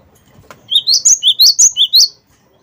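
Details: Cinereous tit, wingko type, singing to stimulate other birds: a brisk series of about eight whistled notes in rising pairs, each pair stepping from a lower to a higher whistle.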